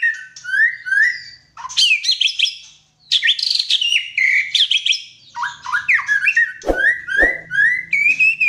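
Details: Energetic song from a white-rumped shama, with clear slurred whistles, dense bursts of high chattering and mimicked-sounding notes, and rapid phrase changes. Two sharp clicks come near the end, above a faint low background hum.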